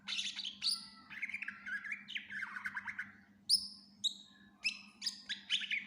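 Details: Greater green leafbird, a caged songbird in full lively song, used as a master tutor: varied phrases mixing high whistled notes with warbled, buzzy runs, quick slurs and sharp chirps, with a steady low hum underneath.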